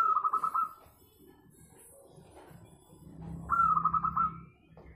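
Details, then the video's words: Melodious local zebra dove, sung as a lure to draw other doves into song: two phrases of fast, bubbling coo pulses about three seconds apart over a low steady hum. "KUTUT LOKAL SUARA MERDU SEKALI, COCOK BUAT PANCINGAN MANGGUNG"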